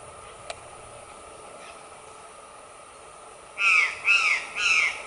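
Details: Female white-lined tanager (Tachyphonus rufus) giving three harsh, downslurred notes in quick succession after a quiet stretch.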